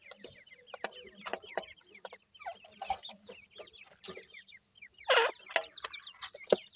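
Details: Many grey francolin chicks, given as Irani teetar young, cheep in quick downslurred notes close together. A loud rustling burst comes partway through.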